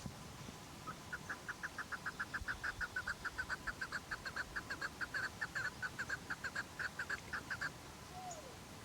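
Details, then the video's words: Chukar partridge calling: a long rapid series of short, clucking chuk notes, several per second, running for about seven seconds before stopping, over a quiet background. "Keklik sesi"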